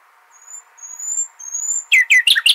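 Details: Nightingale singing in the Al-Hasaniya style, used to tutor goldfinch and hybrid chicks: long, pure, high drawn-out whistles, then a burst of loud, rapid, descending chirps. A steady faint hiss runs beneath.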